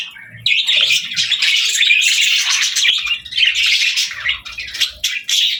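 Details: Parakeets playing and singing break into a sudden, loud, continuous chirping after a quiet start. Rapid high tweets and trills run on to the end.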